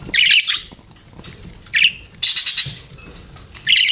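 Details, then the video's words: Budgies giving four separate bursts of quick, scratchy chirps, each under half a second, spaced by short pauses of near quiet. "BUDGIES CHIRPING SOUND"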